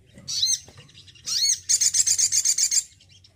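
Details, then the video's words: Male Crimson Sunbird kept in care, singing often: thin swept rising notes, then a rapid, evenly pulsed run of about ten sharp, very high chips. "SOGON JANTAN RAWATAN YANG MENYENANGKAN.....BISA GACOR BAGUS"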